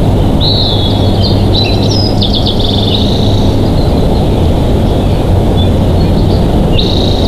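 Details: Nesting bald eagles filmed by a Big Bear Valley nest camera, 07/12/2023: a string of high, piping, chattering notes in the first three seconds, another short call at the end, all under constant deep rumbling background noise.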